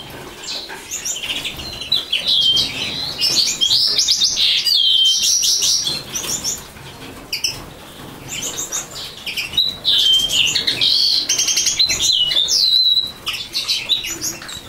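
A common linnet sings a fast, twittering song of high chirps, buzzy trills and short whistles, delivered in bursts with brief pauses.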